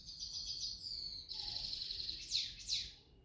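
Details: Evening song of a grey-headed goldfinch: rapid, high, tinkling trills running without pause, then a buzzier passage, finishing with two loud, sharp, downslurred notes against a faint low hum.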